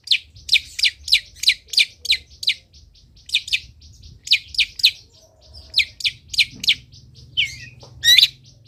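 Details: Long-tailed shrike song meant for teaching other shrikes to sing: clear, high, downslurred whistles repeated in quick series, about three per second, with softer chips between, then a twisting note and a final loud squeak.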